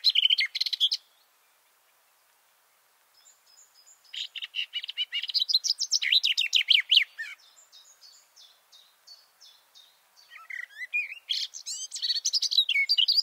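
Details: Garden warbler singing close to microphones placed about two meters below it under a bush, recorded from a shelter tent: rapid warbled phrases in bursts, a brief opening burst, a pause, then long rich babbling runs with quiet gaps between.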